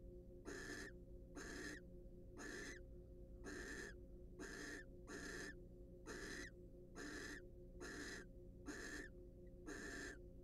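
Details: Wild barn owls in a monitored nest box, preening and courting; harsh broadband hissing screeches repeated about once a second over a steady low electrical hum.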